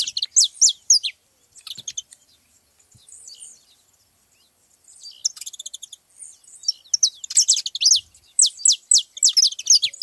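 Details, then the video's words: Saffron finches crowding a feeding spot: dense bursts of high, sharply falling notes at the start and end, separated by a quieter stretch of faint twittering from the flock. "festa dos canário da terra na seva"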